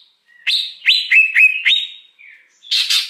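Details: A wild greater green leafbird's lure song. Five loud, clear notes rise sharply and then level off into whistles, followed by a soft note and a burst of harsh buzzing at the end.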